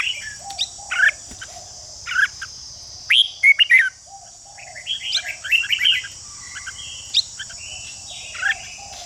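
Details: A red-whiskered bulbul mixes scattered harsh notes with bright warbled whistles and swooping phrases, meant to excite rival bulbuls into fighting song. A steady high hiss continues throughout.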